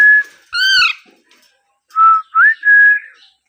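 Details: A baby Alexandrine parakeet gives a brief whistle, then a rich arched squawk, followed by three clear whistled notes: one flat, one rising, one long and level.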